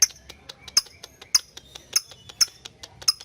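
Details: Lovebird ngetik calling to summon a partner and spur chattering, training audio for young birds: sharp high ticking chips repeated about every half second, with softer clicks between.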